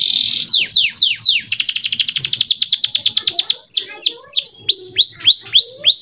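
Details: Male canary song used to teach young birds to sing. Spaced, bright downslurred whistles lead into a fast, buzzy, high trill, then a series of separate ringing sweeping notes.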